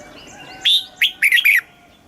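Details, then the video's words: Red-whiskered bulbul kept in a cage in Thailand, singing in southern master style for training and stimulating birds. One phrase of a sustained clear whistle, a short upslur, then a rapid pair of rolling notes. "เสียงนกกรงหัวจุก สำหรับต่อ หรือ เปิดให้นกคึก"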